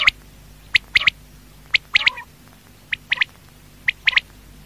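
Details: Quail at night giving bright, clipped three-note phrases, a lone note followed by a quick pair, roughly every second, plus a short buzzy rasp after the second phrase.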